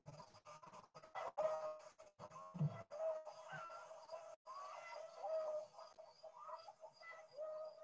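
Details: Chickens giving the drawn-out, wavering alarm made on seeing a great horned owl, usually overhead: sustained nasal notes broken by short clucks, a call carrying a long way, with a faint musical hum underneath.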